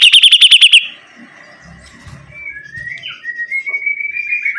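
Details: Sibuntung bird in full song: an opening burst of about seven rapid, piercing repeated notes, then quieter murmuring and a long, thin, drawn-out whistle that wavers gently and rises toward the end.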